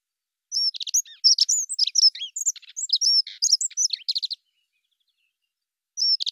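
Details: Dunnock song: a rapid, high jangling warble of thin twittering notes lasting about four seconds, followed by a pause and the start of another phrase, against a silent background.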